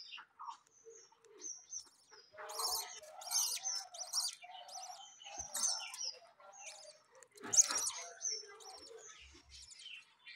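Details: Household budgerigars with freshly hatched young: bursts of rapid scratchy chirps and buzzy squawks from several birds, softer twitters between, and one sharp loud note near the end.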